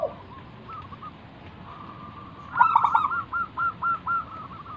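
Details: A wild local zebra dove, used as a lure to draw other doves into calling, coos softly: a faint low trill, then a louder stuttering burst and four evenly spaced, rounded cooing notes.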